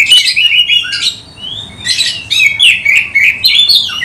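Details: Oriental magpie-robin singing strongly with spread tail, its song meant to lure others of its kind: bright whistled phrases and harsh chatters in quick succession, one long falling slur midway, then dense tumbling notes.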